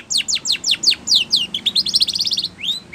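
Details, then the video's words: Training song of a Spanish Timbrado canary: a quick series of high, clean downward-slurred notes gives way to a dense, fast metallic trill, ending with a single rising-falling whistle. "Canary Singing / Spanish Timbrado song For Training"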